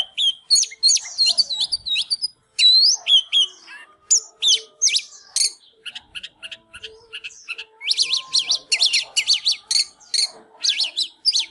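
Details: Excited Oriental magpie-robin singing while dancing, a fast stream of bright whistles, trills and sharp clipped notes, with a dense rapid burst of notes near the end and a faint background hum.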